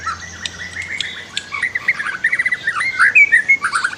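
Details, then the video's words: White-rumped shama (murai batu) song used as a master recording to train other birds to sing more, set with river sounds: a rapid, varied run of clear whistles and chattering notes that grows louder and denser, with a faint low hum beneath. "MASTER KICAU MURAI BATU"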